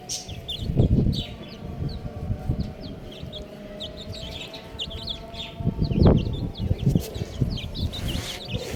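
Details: Several baby chickens peep nonstop with short high downslurred notes, while heavy low thuds and scuffling sounds rise and fall beneath them.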